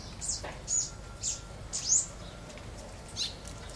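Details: Green-winged saltator kept in a cage, starting its trinca song for the first time; short high chirped notes come in an uneven series about once a second over a quiet background.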